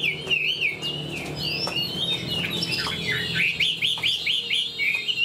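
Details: Fan-tailed Chinese hwamei in a cage sings wavering whistled phrases, then a quickening series of repeated looping notes at the end, over faint low hum.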